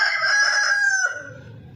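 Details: A rooster gives one loud, harsh, strained crow lasting about a second, then trails off, leaving a faint low background rumble.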